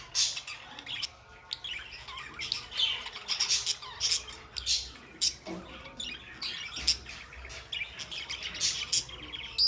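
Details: Pet budgerigars in busy chatter, loud rasping squawks and dense chirps with sharp peaks throughout, a short lower tone in the middle.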